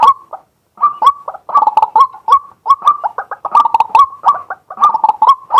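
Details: Male White-breasted waterhen calling by day, recorded live with a set-up camera: harsh, clipped croaking notes around a steady mid pitch, given in short uneven bursts with brief gaps, about one burst every two seconds.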